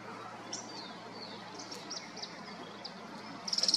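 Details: Thorn-tailed rayadito at Manzano Brujo, San Martín de los Andes, Neuquén, Argentina: thin high chips and slurred notes scattered over soft background hiss, ending in a fast, sharp, very high chattering trill.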